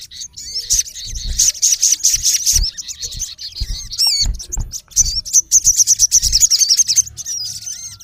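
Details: Olive-backed sunbird male, sogon, calling against a rival in natural habitat: rapid high ticking trills with a brief upward-swooping whistle midway, then another fast glittering run of chips.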